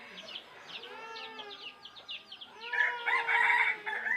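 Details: A red junglefowl crows with drawn-out harmonic tones. The call swells louder after the midpoint against softer chirping in the background.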